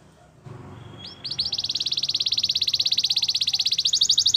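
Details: Canary song for training, starting softly with a couple of rising notes, then building into a long, fast, even rattling trill that keeps going for about three seconds.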